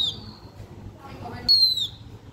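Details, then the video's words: Blue-winged minla singing to lure other birds: two thin, high whistled notes, each sliding slightly downward, separated by a pause with soft low background noise. "Khướu lục cánh xanh hót căng lửa kích mồi siêu chuẩn"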